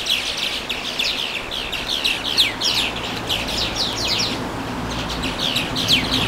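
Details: Small birds at the Watarase River on May 4 give a steady stream of high, twittering chirps and sharp downswept notes, overlapping at times, with a faint low hum beneath.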